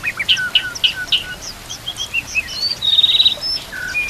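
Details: Training song of a white-rumped shama with kapas tembak and cililin canary imitations: quick bright chips repeated in a short series, then a jumble of high whistled notes, a sustained fluttering trill and falling slurs, faint hiss behind.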